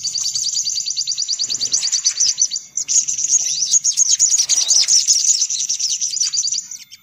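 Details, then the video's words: Excited sunbird twittering for luring sunbirds: dense, very high-pitched rapid trills running almost without a break, with busier overlapping chirps in the middle. "Suara Pikat Burung Kolibri Paling Manjur"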